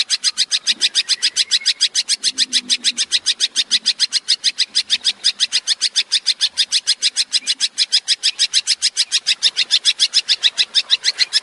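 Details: Tembakan-style song of a long-tailed shrike, used as a master recording for training songbirds. A long, unbroken rattle of high, scratchy notes repeated about three to four times a second for over ten seconds.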